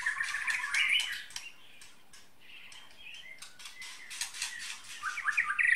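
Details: White-rumped shama (murai batu) of Bahorok origin, tail 33 cm: bursts of rich warbling separated by a quieter middle stretch, with steady clicking noise in the background.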